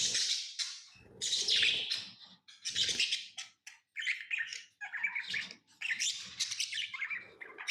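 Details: Tame pet lovebirds giving rapid, irregular runs of shrill, scratchy chirps and squeaks, bursts crowding one another with brief gaps, some faint low thumps beneath.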